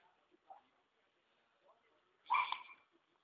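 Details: One loud, rough squawk from a hyacinth macaw living free at a rural site in Ilha Solteira, Paraná River, Brazil, preceded by faint low murmuring sounds.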